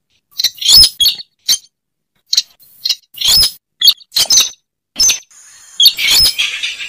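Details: Slaty-breasted rail call used to lure the bird: abrupt high squeaky notes, some in doubled bursts, spaced by short silences, ending in a longer ringing, noisy stretch.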